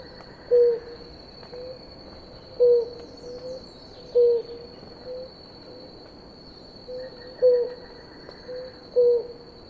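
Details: Blue ground dove pair drinking water, giving a series of six short, low, hollow coo notes spaced roughly one and a half to two seconds apart, each dipping slightly at the end; a constant thin high whine runs throughout.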